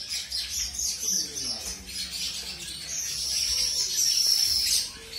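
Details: Zebra finch of a colour mutation, just paired with a new mate; quick bright chirps tumble together, then a louder sustained run of high buzzy notes in the second half before fading.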